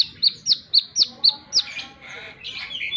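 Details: Six piercing, high chips at even, quick intervals from a plain-throated sunbird singing energetically in wiceh style, followed by fainter scratchy twittering.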